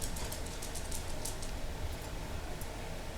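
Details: Dense broadband rushing noise like wind or traffic fills the whole clip, with faint ticks; no parrot or other animal voice.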